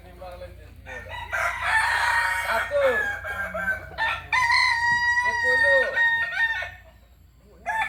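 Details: Native Kokok Balenggek rooster from Solok, West Sumatra, giving a long multi-part crow: loud harsh opening notes, then repeated wavering stepped syllables and a clear sustained tone, ending in quiet before another crow starts.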